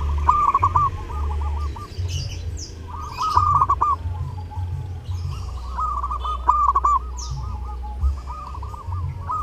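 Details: Zebra dove (perkutut) singing actively during Lebaran, kept as a tutor recording for other birds: bursts of rapid, trilled cooing notes in short phrases repeated about every three seconds, with brief higher chirps from other birds and a steady low hum.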